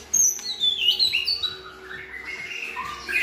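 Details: A white-rumped shama sings as one of several good-voiced birds used to tutor a selected shama toward varied song. High sweeping whistles open the passage, followed by softer, lower warbling phrases and a faint echo.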